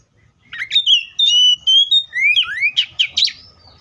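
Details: Oriental magpie-robin giving a flowing song of long clear whistles gliding up and down, followed by quick twittering chirps, loud and close with little background.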